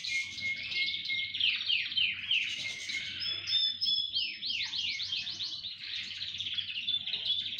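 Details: Chorus of several canaries singing together: bright, high rolling trills and quick descending sweeps repeated rapidly, voices overlapping continuously, with a faint low hum underneath.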